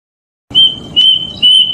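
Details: Plaintive cuckoo call, recorded in the wild and used as a lure for catching forest birds: three clear, sustained high whistles on one pitch, each about a quarter-second long, about half a second apart.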